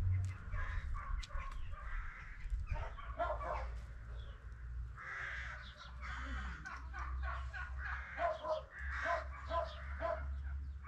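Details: Peafowl of the Spalding emerald type kept at a peacock farm. Several harsh, drawn-out calls overlap across the recording over a steady low hum.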